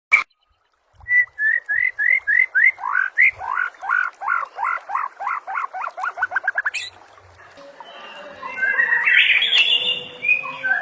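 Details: White-rumped shama training song with full mimicked phrases: a fast run of short whistled notes rising in pace, about four per second, ending abruptly around seven seconds, followed by a softer, scratchy, jumbled warble.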